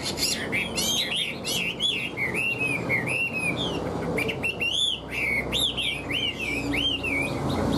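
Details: A caged Hwamei delivers a lively song of rising and falling whistles, strung together in bright, rolling phrases over a steady background hiss.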